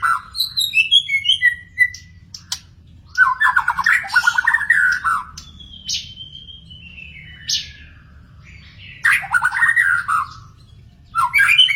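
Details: Wild magpie-robin singing a varied song: clear whistled notes sliding downward, rapid chattering trills, a long drawn slurred whistle and a few harsh buzzy notes, in phrases broken by short pauses over a low steady hum.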